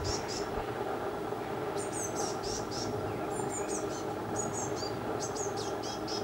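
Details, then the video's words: Eurasian blue tit fledglings begging as a parent feeds them in a garden where several families of young birds are being fed, recorded on a Canon EOS 5D MK3: thin, very high squeaky notes in quick clusters over a steady low hum. "Blue Tit Feeding Youngster"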